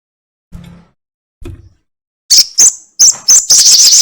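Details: Sogon or crested jay lure recording, long 'ekek panjang' style, used to prompt birds to sing: two soft low knocks, then loud shrill high-pitched chatter notes in quick bursts that merge into a dense rattling run.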